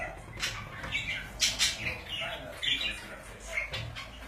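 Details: Pet budgies chirp and squawk in short, scratchy notes every half second or so over a faint steady background hum.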